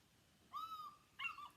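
An eagle gives two loud, clear, drawn-out calls in quick succession, the second sharper and more strained.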